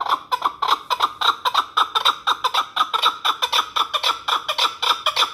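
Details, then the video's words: Hunting chukar partridge from the Pamirs calling in a fast, steady series of clucking chuck notes, roughly two per second, each with a bright ringing overtone, continuing without pause. "Кабки шикории Помир"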